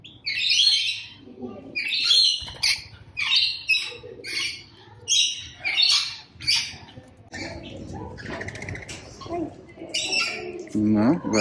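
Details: Rainbow lorikeet screeching in a steady series, one harsh buzzy shriek roughly every second, giving way to a jumbled mix of calls and low rustling near the end.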